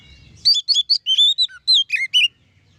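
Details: Oriental magpie-robin singing in the loud, open ngeplong style, meant to provoke other magpie-robins into agitated singing: a rapid run of about ten sharp, high whistled notes and short slurs, some dropping lower, over a quiet background.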